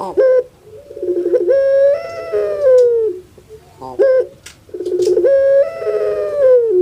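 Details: Two full calls from a kept puter pelung dove: each is a sharp clipped note, a bubbling rolled stutter, then a long, wavering, drawn-out tone that slides down at the end, like a crying baby.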